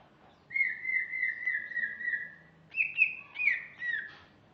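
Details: A female greater green leafbird gives a long, steady, gently warbling whistle that slowly falls in pitch, followed after a brief gap by a higher, more broken whistled phrase.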